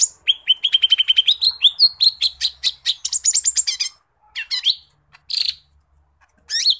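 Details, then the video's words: Lesser green leafbird in continuous 'gacor' song packed with learned phrases: a fast string of clipped repeated notes flowing into rising whistles and harsh chattering bursts. "Kicauan burung cucak ijo mini gacor muntah isian"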